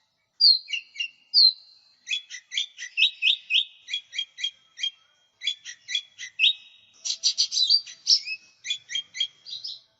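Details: Lure and tutor song of a lesser green leafbird singing energetically: two sweet slurred whistles open, then rapid strings of sharp chips and trilled notes, with a denser, harsher chattering burst near seven seconds before more chips. Clean background.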